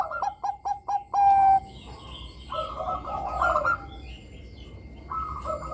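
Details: Zebra dove of the Bangkok type singing actively, meant to prompt young doves to sing. Four quick clipped coos and a longer note lead into drawn-out warbling coos, with a low background hum.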